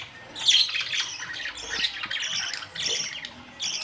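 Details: Budgerigars chattering together, recorded May 2, 2023. Harsh squawks and twittering notes overlap, with a loud sharp call near the start and steady warbling after.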